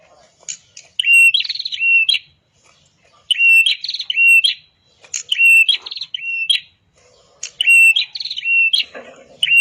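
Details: Red-headed prenjak (prinia) singing in a training master recording. Short bursts of buzzy, rising twangy notes come roughly every two seconds, separated by quiet gaps with faint chirps.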